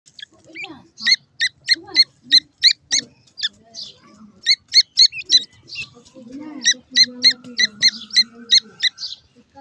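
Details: Newly hatched francolin chicks feeding: rapid bursts of sharp, high squeaky peeps, several per second, broken by brief pauses, with soft low background sounds.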